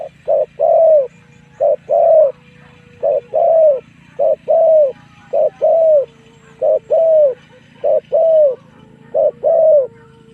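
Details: Decoy spotted dove calling to lure wild doves in to fight, giving steady paired coos, a brief note followed by a longer rounded one, about eight pairs in ten seconds, with a soft background drone.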